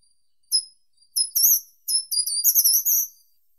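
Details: Short-toed treecreeper: a single sharp high note, then a short run of notes, then a fuller phrase of rapid tinkling notes rising and ending on a sustained high tone; no background sounds.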